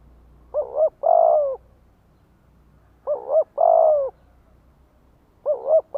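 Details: Spotted dove used as a lure, singing to draw answering calls from wild doves. Three phrases about two and a half seconds apart, each with a doubled short note and then a drawn-out, gently falling coo. The background is quiet.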